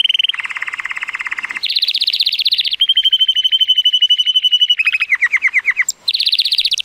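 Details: Powerful song of a male Timbrado Español canary rated 83 points, born 2018, on a sunny day: continuous metallic rolls changing pitch every second or so, one long even high trill among them.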